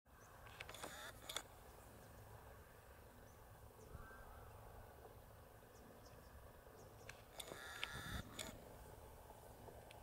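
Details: At Izliv Soče nature reserve on 5 October 2023, a little egret gives two harsh, rasping croaks about six seconds apart over a low rumble of wind, with a faint whistle from another bird.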